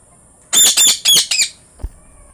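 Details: Green parrot giving four harsh, loud squawks in quick succession within about a second, each burst rough and broadband, followed by a soft thump and quiet background.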